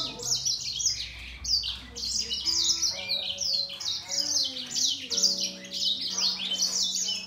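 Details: Grey singer finch in a singing contest with a green singer, dense high trills and twitters, occasional steady mid-pitched whistled notes threaded between the rapid phrases.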